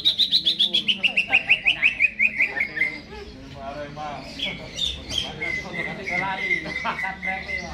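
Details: Caged greater green leafbird, before being hung up, pours out rapid descending whistled notes, then softer mixed chatter and a long flat whistle with scattered chirps.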